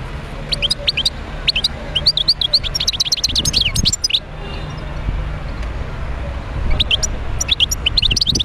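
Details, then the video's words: Médéa wild European goldfinch giving a long run of rapid, tinkling chirps and buzzy trills for about four seconds, resuming after a pause, with low rumbling background noise. "تغريد حسون خلوي(المدية)"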